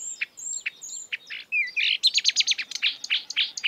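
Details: Wild marsh warbler: thin high whistled notes and scattered chips, then a rush of loud, dense, buzzy chattering phrases packed closely together.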